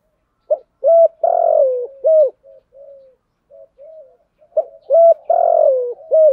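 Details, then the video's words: Captive spotted dove used as a lure bird, calling to provoke wild doves: two loud cooing phrases about four seconds apart, each a short note, a clear coo, a long drawn descending croo and a closing coo, with soft low murmurs between. "chim cu mồi thúc đấu và gáy gọi kích bổi rất xiêng gáy"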